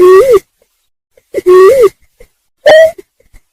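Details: Greater painted-snipe call used as a lure for trapping: two drawn-out, lower wavering notes that swell and dip in pitch, then a single shorter, higher hoot, all on a quiet background.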